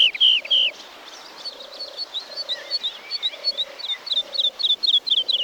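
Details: Woodlark song from Wielkopolski National Park forest recordings, 1990: two loud liquid notes open, then softer rapid warbling phrases, while a lower steady tone repeats about once a second in the background.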